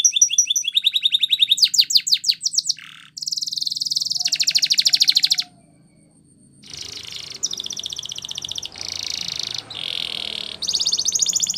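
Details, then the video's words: Spanish Timbrado canary training song: fast pulsed trills and descending whistled notes, a long dense metallic rattle, a pause, then repeated bursts of rapid buzzy trills at varying pitches. "Canary Singing CHAMPION For Training | Spanish Timbrado Song"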